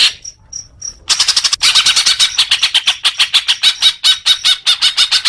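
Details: Leafbird song meant to train young birds: three thin high notes, then a continuous rapid chatter of harsh, buzzy pulses, about two per second, with faint whistled tones underneath.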